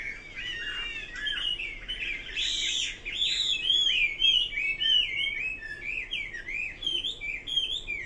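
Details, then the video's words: Long, energetic hwamei song with rising whistled slurs, then a fast, repetitive sequence of sharp looping notes, loud and unbroken, with a brief harsher burst near the start. "Kicau burung Hua Mei."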